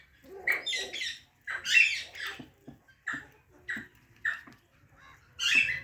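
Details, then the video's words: Parrot chirping in short harsh bursts, each a brief squawky note, spaced roughly every half second to a second with quiet gaps between. "Natural Parrot Chirping Sounds"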